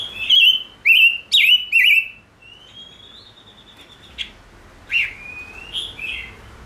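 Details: Five-coloured bird, said to live in faithful pairs, singing: four loud, sharp chirps with wavering tops, then a long, thin, slightly rising whistle and a few softer, quicker notes.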